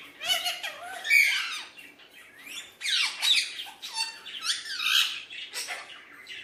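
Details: A hand-tame pet Alexandrine parakeet (Psittacula eupatria), playing with a mirror, gives harsh, raspy squawks and chattering notes in irregular bursts, some rising and falling, with brief pauses between.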